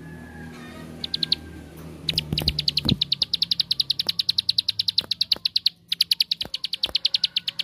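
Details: Bar-winged prinia singing ngebren style, a lure to make other prinias sing: a few short bursts of high notes, then a fast continuous run of sharp chips, with clattering thumps early on.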